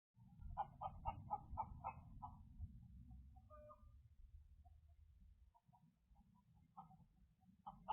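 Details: Chickens caught on a security camera at 11 p.m. on March 3, 2023, in Independence, Missouri, give a quick run of loud, harsh clucks for about two seconds, then scattered softer calls over a steady low rumble.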